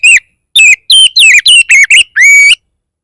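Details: Oriental magpie-robin 'bar bar' song used to trigger other magpie-robins to sing: a string of strong, clear whistled notes, several sliding downward, ending in a longer note that rises at its end.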